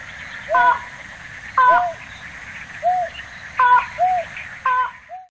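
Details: Slaty-legged crake in Tainan City, Taiwan, 9 December 2019: low, arched hoots alternate with higher, harmonically rich nasal notes, about one each second, over a continuous background hiss.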